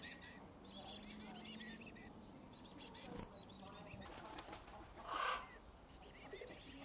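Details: Black-capped chickadee nestlings (at least two) in a birdhouse on a garage give a thin, high, hissy chorus of begging calls in rapid bursts as parents bring food, with wingbeats and a faint low hum.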